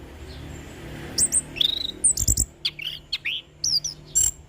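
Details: Relaxed ngeplong singing of an orange-headed thrush, used as a master and lure recording: a quiet start, then bursts of sharp high chips, slurred whistles and rattled notes in quick succession.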